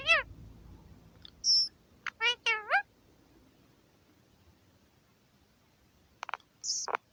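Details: Indian ring-necked parakeet, a male kept in an aviary, talking to himself on New Year's Day 2021: a short high whistle and three rising speech-like syllables, a quiet pause, then sharp clicks and a final high squeak.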